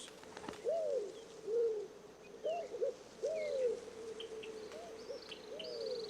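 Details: White-crowned pigeon (Patagioenas leucocephala) in the Florida Keys gives a series of low, arched cooing notes in short phrases, with faint high chirps from other birds and a low hum. It nests and roosts on mangrove islands and commutes to the mainland to feed.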